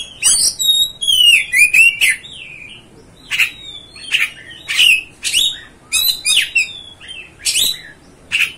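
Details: Oriental magpie-robin, or kacer, singing to stir up other kacer: an opening whistled, wavering phrase, then a series of clipped, sharp notes repeated about twice a second.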